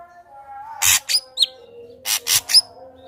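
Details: Singing ashy drongo, recorded as a lure to prompt another ashy drongo to sing: two short groups of raspy, noisy notes, each mixed with a brief bright whistle, against a low continuous tonal hum.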